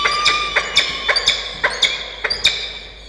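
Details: At a peregrine falcon nest box in Orange, New South Wales, Australia, during a morning feeding of a chick on 1 November 2021: quick squeaky notes repeated about every quarter second, with tapping sounds between them.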